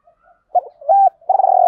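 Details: Spotted dove calling to rouse decoy birds: a low stuttered note and a held coo, followed by a strong pulsing purr that is cut off abruptly.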